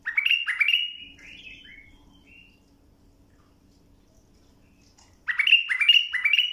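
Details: Tutoring song of a bulbul for young birds. Repeated loud, throaty whistled notes open, softer notes trail off into a quiet gap with a low hum, then the same emphatic notes return.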